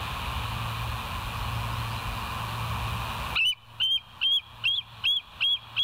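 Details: Bald Eagle from a live nature cam at West End, 25 September 2023, 7:00 a.m.: after a quiet stretch, about seven sharp, high whistled notes evenly spaced roughly half a second apart.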